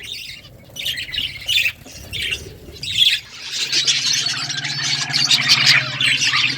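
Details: Budgerigars in the morning, separate high squawky chirps at first, then a continuous overlapping high chatter over a steady low hum.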